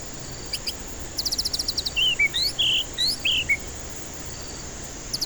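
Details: Shama song, the white-rumped kind, used to coax stressed birds into song: a rapid train of high pulsed notes, then a cluster of looping, warbled whistles at mid-high pitch, with faint pulsed bursts near the end and a steady hum.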